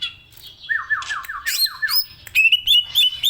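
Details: Greater green leafbird singing a series of quick descending slurred whistles, several in a row, followed by sharp high buzzy notes and sustained wavering whistles, with a soft low rumble in the background.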